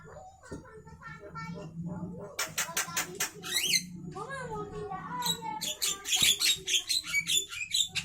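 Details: Javan myna singing at midday, mixing rising and falling whistled notes with rapid trains of harsh clicking pulses that grow louder and quicker toward the end.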